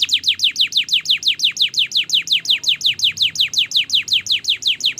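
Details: Singing canary in a long training song: one rapid, steady roll of sharply descending whistled notes, about six per second, clear and loud throughout.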